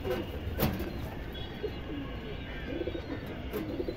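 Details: Low, soft pigeon coos from a pair of silver pigeons, a female and a male, rise and fall against a steady background rumble.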